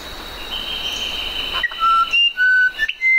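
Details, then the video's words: Musician wren song starting after a stretch of steady high hum: a handful of clear, level whistled notes alternating higher and lower, each about a quarter second long. "SONIDOS del CUCARACHERO MUSICAL"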